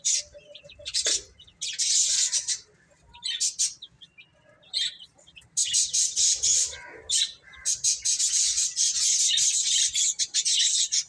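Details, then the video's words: Baby chickens feed and play, their shrill peeps coming in loud clustered bursts separated by quieter gaps, the last stretch a continuous busy chorus. "Cute Chicks Eating and Playing | Baby Chicken Chirping Sounds"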